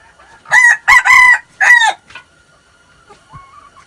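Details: Red junglefowl, six months old, crowing on 13 March 2019: a strong hoarse crow in three main segments, with a long middle note and a short trailing tail, then quiet with faint distant calls.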